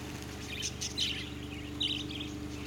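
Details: Wild juvenile budgerigars (Melopsittacus undulatus), a large, curious and fearless flock visiting a camp at Woodline, Western Australia, in November 2011, give quick, high flock chirps and warbles over a steady low mechanical hum.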